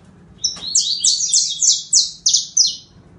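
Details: Saffron finch singing: a run of about seven sharp, high notes, each slurring steeply downward, delivered roughly three per second in a bright, ringing series over a quiet background.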